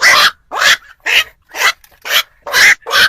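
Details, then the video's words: Black-crowned night heron, used to lure birds for night trapping, giving loud harsh croaks in a steady series, about two per second. "tiếng chim vạc"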